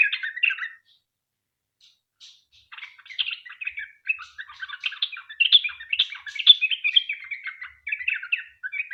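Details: A sooty-headed bulbul's 'ropel panjang' song used to provoke other bulbuls to answer: a short chattering phrase, a pause of about two seconds, then a long unbroken stream of rapid, varied warbling notes.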